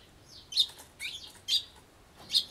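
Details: Eurasian tree sparrows at a feeding table driving off Japanese white-eyes eating persimmon and drinking juice; harsh, buzzy "jyuu" chirps, four loud high grating bursts about half a second apart.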